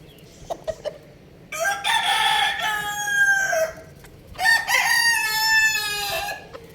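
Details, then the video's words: Crowing rooster with a hen on a rooftop, foraging: two full cock-a-doodle-doos, each about two seconds, raucous and strongly harmonic, ending in a drawn-out dropping note. A few sharp taps come before the first crow. "rooster Crowing Sound effect"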